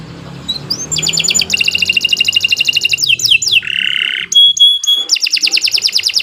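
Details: Canary in long, energetic song meant for tutoring: extended rapid high trills, sliding upswept notes, a brief coarse buzz, then thin whistled pips and another fast trill.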